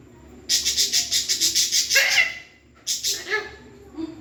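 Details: Pet parrot vocalizing loudly at close range: a fast run of about nine harsh, raspy pulses, then a short voiced, speech-like phrase, followed after a pause by another burst of rasping notes that fades out.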